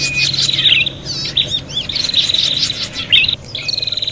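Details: Prinia in agitated fighting mode, a call used to lure birds. Dense, excited high chatter mixes buzzy trills with quick upslurred and downslurred chirps, restless and nearly continuous.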